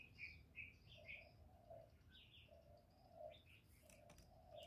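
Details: Spotted dove cooing to stimulate males, in the 'giọng thổ' voice style: deep, soft hooting coos in repeated phrases, with short bright chirps from other small birds above and a steady low background rumble.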